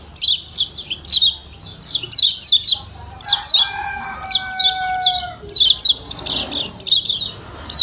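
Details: Lombok white-eye, locally called kecial kuning, giving its ciak ciak call from Lombok: bright, high chirps in quick clusters that repeat irregularly. Steady, drawn-out tones with harmonics sound in the middle.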